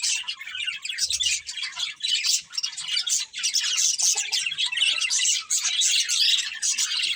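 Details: Two budgerigars of a breeding pair produce a dense, lively twittering warble, steady and loud throughout, full of clipped chirps and gritty chatter, with a short low thud early on.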